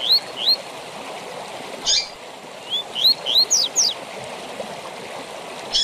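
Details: Captive-training tui tui zel zel song of a double-collared seedeater: a pair of rising whistles, a bright chip, then a run of upslurred notes and steep high slurs, with steady rushing noise underneath.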